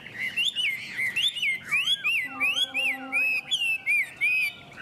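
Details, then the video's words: Chinese hwamei duelling in song, two unowned birds: a string of clear looping whistles repeated roughly twice per second, with some lower curving notes and a held lower tone beneath. "Họa mi hót đấu"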